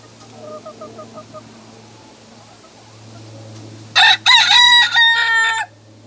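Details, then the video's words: A North Holland Blue rooster gives a few soft clucks, then one loud, harsh, multi-part crow broken into a few rising and falling bursts, over a steady low hum. "North-holland blue rooster crowing"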